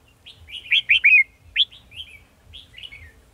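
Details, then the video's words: Red-whiskered bulbul singing as a decoy in a trap on 18 December 2020, a lively run of rapid slurred whistled notes, a pause, then softer trailing chirpy phrases over faint low hum. "Bẫy chào mào"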